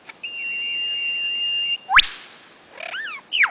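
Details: Male lyrebird singing from his mound in ferny forest at Sherbrooke, Victoria, April 2008; one long steady high whistle, then a sharp upward whip crack, a wavering chattered phrase and a quick descending note.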